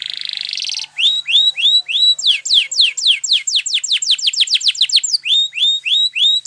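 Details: Spanish Timbrado canary, a champion singer, performing a training song: a buzzy rolled trill opens, followed by rhythmic upswept whistles and then a fast run of sharp descending sweeps, ending in repeated rising notes.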